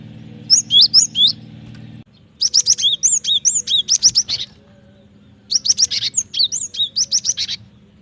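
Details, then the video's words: Cinereous tit singing for a bird-training lure recording: three bursts of bright, rapid chirping notes and slurred whistles, fast and repetitive, with a steady low mechanical hum during the first two seconds and quieter gaps between phrases. "Pancingan suara burung gelatik batu gacor ampuh masteran suara burung gelatik batu gacor"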